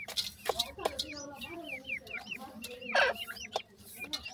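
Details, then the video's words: Grey francolin chicks in Pakistan, shown feeding, make a run of short, high, hooked peeps repeated rapidly, mixed with clucking fowl-like sounds, clicks and background noise. "pk teetar bird chicks,lover bird grey francolin chicks"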